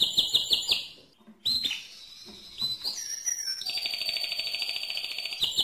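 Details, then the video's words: Mosaic canary in loud song: quick pulsed trills, a brief pause, then sliding whistled notes that run into a long, steady, high buzzing roll held for nearly two seconds. "le Chant le plus fort de canari mosaïque"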